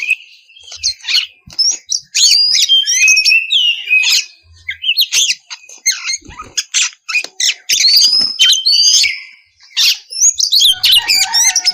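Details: Oriental magpie-robin delivering a loud, clear song meant to set other magpie-robins singing: a dense, varied stream of high whistles, chips and fast warbled trills with brief pauses, about three to four notes each second.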